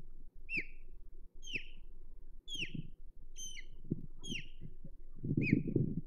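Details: On 22 May 2023 at Hog Island an osprey defends its nest with a steady series of six loud, shrill, falling whistles roughly one per second, ending over a burst of low thumping and rustling.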